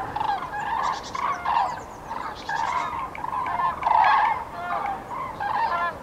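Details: A flock of common cranes on spring (prenuptial) migration in Nouvelle-Aquitaine, central France, 8 February 2017, gives loud, rolling trumpeting calls overlapping almost continuously, rising and falling in bursts every second or so.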